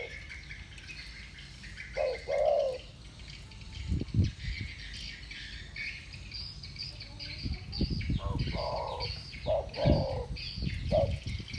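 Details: Two spotted doves singing against each other in the thổ bầu style. A few low, hollow coos come in two bursts, separated by a quiet gap and mixed with dull thumps and high buzzing.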